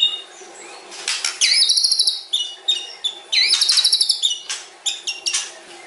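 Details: White-rumped shama, known as murai batu, delivers a long, varied song. Two fast, buzzy trills each rise into a sustained high rattle, surrounded by sharp clicks and short whistles.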